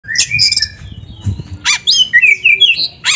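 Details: Oriental magpie-robin (kacer) in lively 'gacor' singing, used as a tutor recording for training young or reluctant birds: varied whistled slurs and rising notes mixed with harsh buzzy bursts, rapid changing phrases with short gaps.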